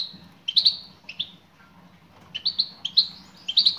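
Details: Calling female European goldfinch directed at a male: a few isolated chirps, a short pause, then a quickening series of crisp high tweets in close succession.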